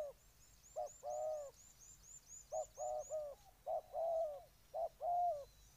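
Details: Spotted dove from Ninh Thuận, Vietnam, cooing in short grouped phrases of deep, rounded notes with brief pauses, while a rapid series of thin, high whistled notes from another bird runs through the first half.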